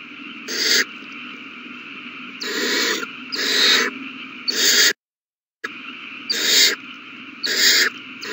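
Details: Begging owl chicks at feeding time, 27 March 2020: short, breathy hissing screeches come in irregular pairs and singles, with one sudden silent gap midway.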